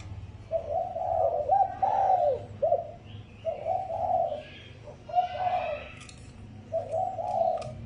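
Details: Spotted dove lure call used to stimulate decoy birds: low, mellow cooing phrases, each about a second long, repeated six times with short pauses between them. Faint higher chirps of other birds are heard in the background.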